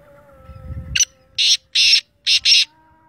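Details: A black francolin, Sindhi teetar by its local name, gives a loud rasping phrase of five scratchy, buzzy notes after a brief low rumble, with a faint tonal hum throughout.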